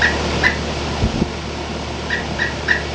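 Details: Pileated woodpecker (Dryocopus pileatus), call.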